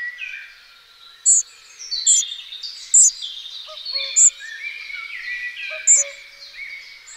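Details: Young spotted flycatchers, two of them, begging while being fed: five sharp, very high, thin notes roughly a second apart, above a busy background of other birds singing.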